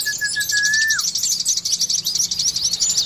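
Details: Oriental white-eye lure song used to prompt caged birds to sing quickly: rapid, high, thin twittering runs without pause, opened by a long level whistle that drops away at its end.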